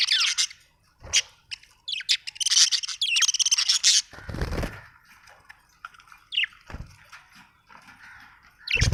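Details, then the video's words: Budgerigar pouring out a dense stream of high chirps and squeaky warbles, interrupted by a loud low thump, then scattered short tweets. "Budgie chirping sound"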